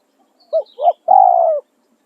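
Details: Spotted dove decoy delivering a tossing-style crow: two short rounded coos followed by a long, rough, gently falling purr. Faint high twittering of other birds.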